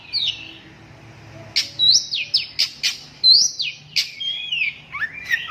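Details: Long-tailed shrike (cendet) singing loud, separate downslurred whistles and sharp notes about every half second after a quieter start, finishing on a lower, rising whistled note.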